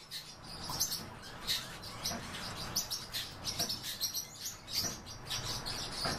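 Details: Captive breeding pair of pine grosbeaks giving short, high chirping calls in irregular bursts, roughly one every second, over a steady low hum.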